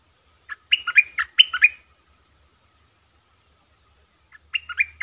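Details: Decoy Streak-eared bulbul calling to attract wild birds in the 'sap dok' and 'rik' styles: a rapid run of about six chattering, bubbly notes, a pause of nearly three seconds, then a similar shorter run.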